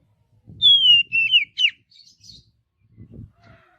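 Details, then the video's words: Oriental magpie-robin singing naturally in a forest: a loud series of clear whistled notes, a descending slur followed by two twisting phrases, ending in faint softer chirps, with low rumbling background noise. "Kicauan Kacer Alami Di Hutan"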